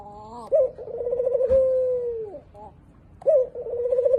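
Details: Spotted dove cooing in a deep, mellow voice: a sharp opening note slides into a long level coo lasting over a second that sags at its end, short stuttered notes follow, then another accented note and a wavering sustained coo.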